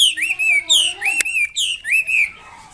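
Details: Red-billed blue magpie singing vigorously: a few long, slurred whistles that rise, level off and fall, rich in overtones, plus a sharp click midway and faint lower tones beneath.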